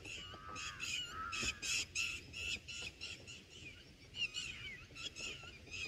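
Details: Red bulbul chicks in the nest on day one as a parent feeds them black berries and a moth: harsh, raspy high chattering bursts repeated rapidly, about three per second, with some soft rustling beneath.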